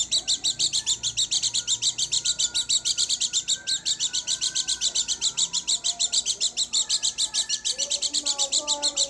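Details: A pleci dakun garut white-eye pours out a continuous train of bright, high chirps, about three or four per second, with faint wavering lower tones underneath.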